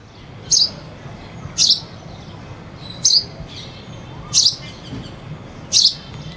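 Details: Sparrow chirping with a cuckoo singing in the background: five sharp, bright chirps spaced about a second apart, with faint low background hum throughout.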